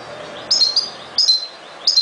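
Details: European goldfinch giving short, bright high-pitched chirps, each a quick two-part twitter, repeated three times at roughly 0.7-second intervals over faint low background hiss.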